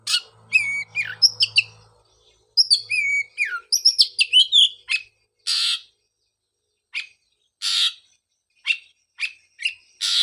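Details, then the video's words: Oriental magpie-robin singing as therapy bait for a bird silent since its moult: an opening of varied clear whistles, then repeated harsh, noisy rasps alternating with short chips until the end. "pancingan suara untuk terapi burung kacer"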